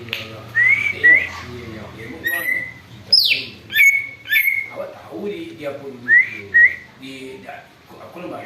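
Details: Greater green leafbird singing noisily, a lure recording of a bird said to copy eagle calls: short rising whistles in pairs, one steep falling squeal, and busy lower warbling throughout.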